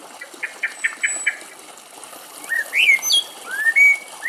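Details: Common blackbird song in Greece, where birds drink and bathe in rainwater beside young sparrows. A run of short repeated chirps opens, then rich fluty warbled phrases swoop up and down.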